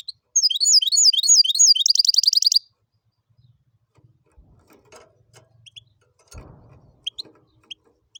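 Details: Hybrid of goldfinch and canary, called tibetano y tuitero, gives a bright phrase of looping whistled slurs that breaks into a fast buzzy trill for about two seconds, then quiet scattered faint chirps and a soft thump.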